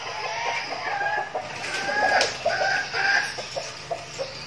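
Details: Captive red junglefowl decoy flock in training, Bình Phước, Vietnam; short harmonic crows near the middle, surrounded by many scattered clucks and clicks from several birds.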